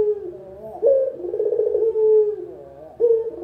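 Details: Local spotted dove cooing as beginner training material: low, soft coos with abrupt rising starts and quavering tails that fade downward, closely following one another.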